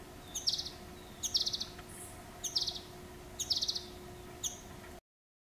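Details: Male ultramarine flycatcher calling from a tree in winter in Gujarat: short sharp high clicks each followed by a dry buzzy rattle, five bursts roughly a second apart over a steady low hum.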